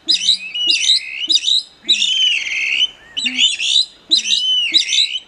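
A Plumbeous Rail gives loud, shrill, squealing calls in quick bursts about every half second, broken by one longer drawn-out squeal in the middle.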